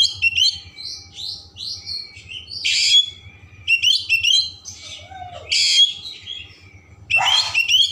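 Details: Oriental magpie-robin delivering full, varied song to stimulate emotion and tail opening: series of short whistled notes, then harsh loud bursts and chattering phrases, with a low background hum.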